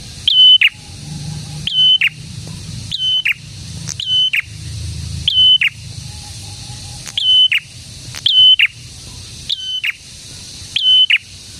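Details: Actively singing prinia repeating a set phrase: a sharp high note, a held level whistle and a short grating drop. Around ten repeats at uneven intervals of about one second.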